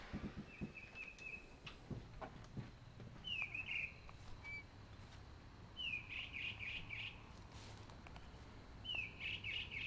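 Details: A bird chirping outside in the dark around 1:10 AM gives short high chirped phrases, a thin steady note then a quick slurred descending run, repeated every few seconds over a low background rumble; other birds call in the distance.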